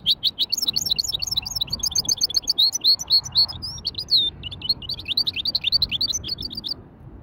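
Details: A hybrid finch delivers a lively widani-style warm-up song, continuous rapid high twitters and slurred whistled notes, briefly pausing after a drawn-out whistle before resuming its quick chatter over low background hum.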